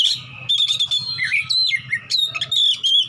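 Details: Combative Oriental magpie-robin searching for a challenger, singing ngeplong: dense, loud whistled phrases with quick up-and-down slurs and high piercing notes, almost continuous, against a faint low hum.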